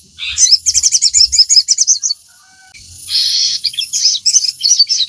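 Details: Crimson sunbird in full song, played to coax caged birds into singing: two long streams of fast, shrill, sibilant twitters separated by a short quiet gap with a faint low tone.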